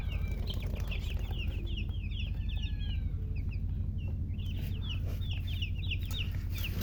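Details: Just-born chicks calling loudly in bursts of bright, piercing chirps, each note slurring downward. There is a brief lull near the middle before the rapid peeping resumes, all over a steady low mechanical hum.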